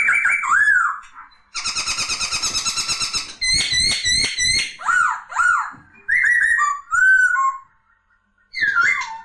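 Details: Poksay, a laughingthrush kept as a songbird, giving loud whistled phrases with a rapid buzzy rattling burst, then warbled, slurred whistles that rise and fall, separated by short pauses.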